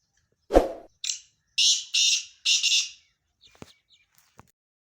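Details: Black francolin calling: after a dull thump, four harsh, buzzy, grating notes follow in quick succession, the last two joined, then a few faint clicks in near silence.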